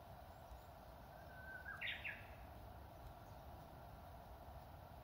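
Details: Spring song of a Japanese bush warbler at an old temple with flowering cherry trees in Inzai, Japan: a soft sustained whistled note that breaks into a short, loud, jerky flourish, then quiet with low background rumble.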